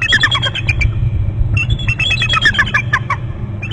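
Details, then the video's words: Eagle pair calling on their territory at Hornby Island, both birds away from the nest; rapid high piping chitters in two bursts with a short pause between, constant low background rumble. "both eagles off bst to gregg's' lots of calling"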